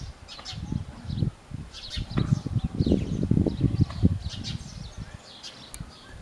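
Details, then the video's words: House sparrow giving scattered high chirps, partly masked by loud low thumps and rustling close by. "Sperrow sound | गौरैया"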